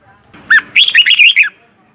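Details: Red-whiskered bulbul singing a morning training song in the 'giọng kép xoắn' style: one sharp opening note, then a quick run of bright, warbled, up-and-down whistles lasting under a second.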